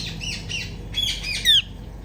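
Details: Female Indian ringneck parakeet chirping loudly: a run of scratchy squawks building to a piercing, shrill downward screech at the end, faint hum behind.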